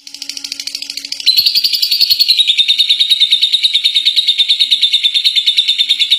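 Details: Contest-winning lovebird giving its ngekek, a long chattering song: after a quieter first second, a loud, fast, unbroken shrill chatter of about three notes per second, high and steady, with faint low hum beneath.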